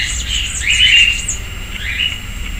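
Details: Sayaca tanager in a backyard persimmon tree in Piracicaba, São Paulo, Brazil, giving a thin squeaky note followed by a second, fainter one, over scattered very high twitters and a low rumble.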